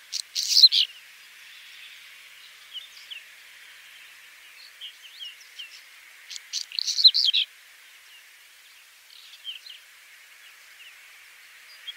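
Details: Whinchat song heard as two loud bursts of scratchy, buzzy notes some six seconds apart, with fainter high chirps and short whistled notes scattered between them.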